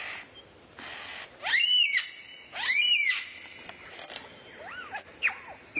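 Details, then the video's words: Rare bird sound used as tutor material for white-rumped shama training: two loud, harsh, arched screeching calls, then softer rising-and-falling whistled notes and short high flicks over a hissing background. "MASTERAN BURUNG LANGKA YANG BISA JADI SENJATA PAMUNGKAS BURUNG KACER"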